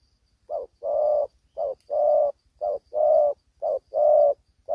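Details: Young male spotted dove, not yet with full neck spots, calling hard while fighting: paired coos, a short note then a longer rich one, repeated about once a second in a steady rhythm.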